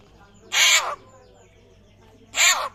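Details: Rare butcherbird from Papua with a call likened to a raptor: two loud, harsh, raspy screeches, each about half a second, nearly two seconds apart, over a quiet background.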